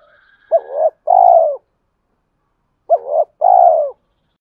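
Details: Spotted dove male cooing to stir up fighting and call a mate, delivered twice about two and a half seconds apart; each phrase is a bouncing double note then a long steady low hoot, in quiet surroundings.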